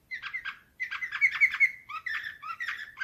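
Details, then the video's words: Canary, nightingale-type Slavujar song, 2024: paired chirps, then a bright sustained trill, followed by rising notes repeated in short bursts. "Uccello dell'usignolo delle Canarie Slavujar"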